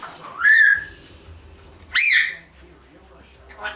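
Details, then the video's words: One-year-old female pet African grey parrot at home, vocalising freely; two loud, rising-then-falling squawks about a second and a half apart, harmonically rich, with faint indoor background hum between them. "1 year old African Grey Parrot, Nala, just blabbering"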